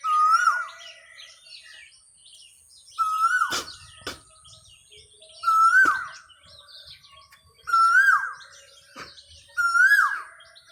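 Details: Asian koel, called cuckoo, singing: loud whistled rising notes, each sliding upward then dropping, repeated five times about every two seconds, with faint chirps of other birds between phrases.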